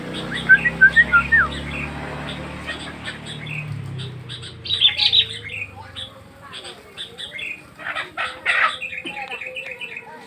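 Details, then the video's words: Sooty-headed bulbul song of quick chirpy notes and brief warbled phrases in loose bursts, with a low droning hum under the first half. "Burung Kutilang Berkicau"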